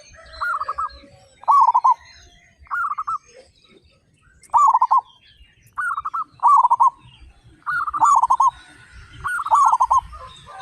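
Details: A flock of 35 local zebra doves singing with strong voices; repeated short staccato coo phrases, sometimes doubled, follow one another about every second, with light high-pitched bird chatter behind.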